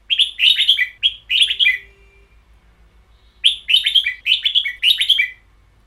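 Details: Red-whiskered bulbul kept as a cage bird, delivering "boen yao" style song: bright, chattering warbled phrases of rapid slurred notes, a second-long silence, then another lively burst of similar notes.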